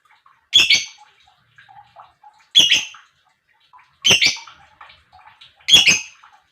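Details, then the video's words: Lovebird chirping to get other lovebirds calling: four loud, harsh, buzzy chirps spaced about one and a half to two seconds apart, with faint twittering between. "Lovebird Chirping Sounds"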